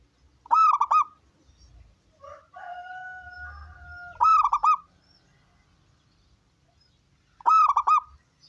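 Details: Local wild zebra dove with a big voice, recorded to lure other doves into singing: three short stuttering cooed phrases about three and a half seconds apart. Between them comes a steady drawn-out two-pitch tone, with a faint low rumble underneath.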